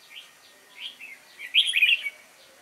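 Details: Red-whiskered bulbul, a wild-caught youngster, sings its competitive fighting song on 22 October 2018: a few soft introductory chirps build into one loud, rolling, liquid warble.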